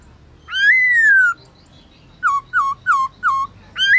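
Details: Clear midday singing by a black-throated laughingthrush (Garrulax chinensis) in forest-voice style: a long arched whistle, then four short falling notes evenly spaced, and a rising whistle starting at the end.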